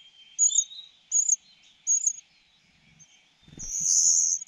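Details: A cuckoo chick being fed begs with three brief, thin, high notes, then pauses before one longer, louder hissing burst after some low rustling.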